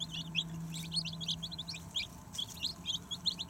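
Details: Chicks feeding at a solar sharing power plant in Tsukuba, Japan: many short, high peeps overlapping in a steady chatter, over a low constant hum.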